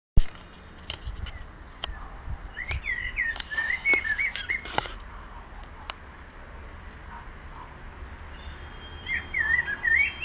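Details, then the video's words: Unidentified bird singing a song that begins the same way each time and ends in varied tones and tunes; a whistled, warbling phrase around the middle and another near the end, with scattered clicks and low background rumble. "Bird of multiple songs"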